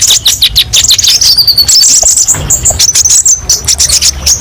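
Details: Kolibri ninja sunbird song for therapy and tutoring: a burst of rapid twittering, a thin drawn-out whistle, then sharp high chirps repeated.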